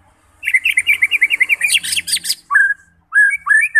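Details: Singing White-rumped shama, played to provoke fighting birds: a rapid chattering run of mixed whistles and clicks, followed by short clear slurred whistled phrases after pauses.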